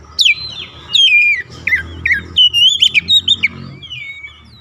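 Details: Oriental magpie-robin song used as a lure to provoke other magpie-robins: clear whistled phrases sliding down, then a run of short rising and falling notes repeated in quick bursts, over a faint low hum.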